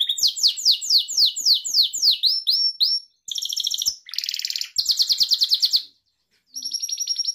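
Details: Singing Gloster canary kept as a pet: quick descending sweep notes repeated about four per second, a short pause, then dense buzzy rattles and a bright rolling trill, closing with an even high trill.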